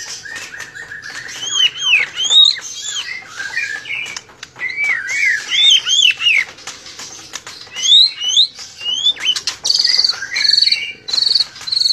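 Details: Blorok-variety white-rumped shama delivering loud, clear whistled phrases that swoop up and down, broken by brief pauses, ending in high repeated piping notes, with sharp clicks in the background.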